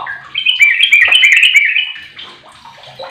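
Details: A sooty-headed bulbul fifteen years old, kept as a lure bird to make other bulbuls sing, delivers a rapid rising and falling warbled run of bright whistles, fading into softer notes at the end.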